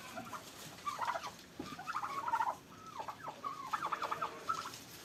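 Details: Turkeys fighting at a farm in Pakistan give loud rolling gobbles, a burst near the start, a longer warbling run mid-clip and stuttering gobbles toward the end, with a sharp knock between.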